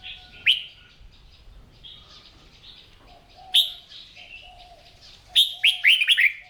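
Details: Caged red-whiskered bulbul trained at dawn to sing its competition song: two sharp whistled notes a few seconds apart, then a quick tumbling run of bright rolling notes at the end, faint bird chatter behind.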